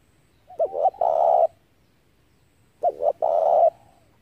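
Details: Spotted dove calling as a lure for trapping doves: two quick looping notes then a long, rough, level coo, the phrase given twice about two and a half seconds apart.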